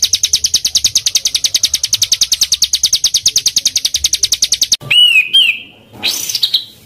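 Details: Small songbird in a training recording for caged birds, full of dense 'tembakan' song. A long, fast high trill of sharp notes continues for almost five seconds, then a pure whistled note wavers downward and a second rising whistle follows.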